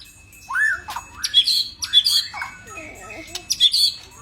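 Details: White-rumped shama, a caged bird, sings varied rich whistles, a rising slurred note followed by bursts of higher chirps, with a short low chatter in between.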